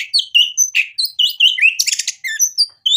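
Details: Song of a white-rumped shama used to stir a rival to sing back, packed with varied filler phrases: dense high whistles, downslurred notes and a brief harsh rattle, delivered without pause.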